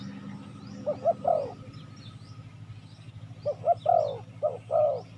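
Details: Spotted dove calls used to lure wild doves: two low cooing phrases, each a pair of short hoots then a longer burred coo, about three seconds apart, over a steady low hum with faint thin rising whistles of other birds.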